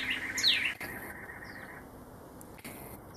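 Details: Male Pyrrhuloxia calling to his mate in the desert near Tucson; one loud, sharp, steeply falling chip note, then two very faint high notes over soft background hiss.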